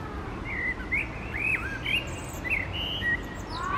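A blackbird sings loose, fluty, warbled phrases with quick slurred notes and thin high twitters, over a steady low background rumble.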